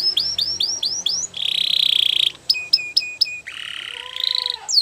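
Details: Belgian canary training song with a string of rising chirps, a buzzy rattle, sharp repeated whistled notes and a closing warbled phrase over a low steady tone.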